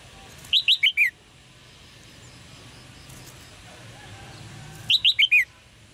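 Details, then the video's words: Red-whiskered bulbul chirps intended to spur males to sing: two rapid runs of four short whistled notes, each run stepping slightly downward, about four seconds apart, against faint background noise. "นกหัวจุก birds - เสียงนกร้องเจี๊ยก ๆ กระตุ้นการขับขานของนกตัวผู้"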